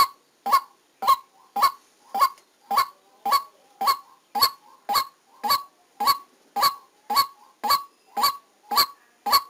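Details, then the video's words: A white-breasted waterhen kept as a decoy for trapping repeats its coarse, honking note steadily, almost two calls each second. About seventeen calls are heard with little else in the background. "Tiếng Quốc Mồi Ghi âm trực tiếp lúc đánh"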